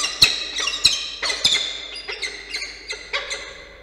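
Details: Two peregrine falcon nestlings in Orange, New South Wales, beg while an adult feeds them, 9 October 2022. Piercing, squeaky screams come in a rapid, irregular series and fade slightly toward the end.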